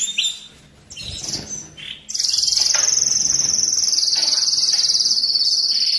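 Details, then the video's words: Canary song played during the moult and rest stage to excite males and ready females for mating: a few soft scattered notes, then a very high, buzzy, rapid trill sustained steadily to the end. "تغريد الكناري للتسميع في مرحلة القلش و الراحة"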